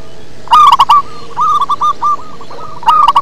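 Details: Local zebra dove in full deep-toned song: a loud staccato burst of coos, then a long rolling series of softer stuttered notes before another loud burst.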